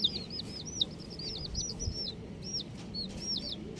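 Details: Chirping of colourful baby chickens. A busy run of bright, arched peeps, several per second, comes from a group of chicks over a low rumbling background.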